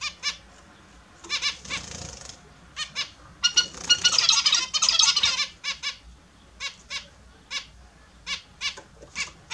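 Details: Morning bath time for a group of kept Australian zebra finches: a long run of clipped, nasal beep calls, often in pairs, mixed with a burst of splashing water in the middle.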